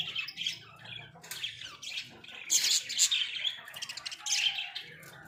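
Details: Pet budgies caged indoors give softer scattered chirps and buzzy warbles, louder in the middle with a few sharp squeaks, over faint low room hum.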